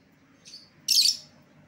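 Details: Escaped-lovebird lure sound: a faint thin chirp followed by one loud, harsh, shrill screech.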